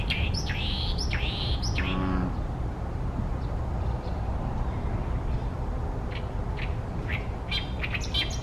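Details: Oriental great reed warbler (Acrocephalus arundinaceus) singing loudly from a tall tree beside a reed pond in Ashiya, Japan, 28 May 2020: harsh croaking notes in a quick rattling burst, then fainter scattered notes, over a steady low rumble.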